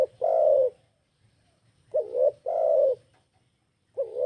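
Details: Tekukur, or spotted dove, calling as a lure for other birds. One long, soft, falling coo, then a quick warbled note and a drawn-out coo, and the start of another phrase at the end.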